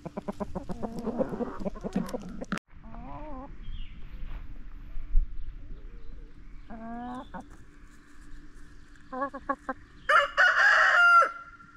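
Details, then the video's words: Backyard chickens in a burst of rapid clucks, then scattered rising squawks and cackles, ending with a loud harsh stretch of calls; people laugh and talk nearby. "Backyard Chickens Clucking Noises!"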